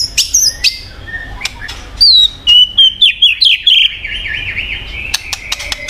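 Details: Song of a white-rumped shama (murai batu), played to spur a silent bird into singing. High thin notes open it, then bright whistles slide downward. A rapid zigzag series of quick notes follows, and faint chattering ends it.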